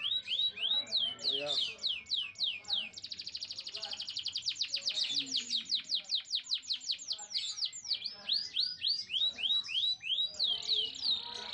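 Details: Canary singing to excite male and female canaries into mating and prompt the hen to build a nest: rhythmic repeated sweeping whistles, a rapid dense trill, then long series of descending chirps repeated several times per second.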